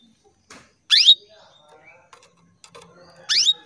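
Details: Female canary calling for males: two loud rising chirps about two seconds apart, separated by soft quiet twittering.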